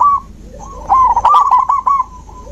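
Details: Zebra dove song meant to stimulate a dove that has stopped singing: a short opening coo, a pause, then a tumbling burst of quick hollow notes with a few sharp clicks, fading out.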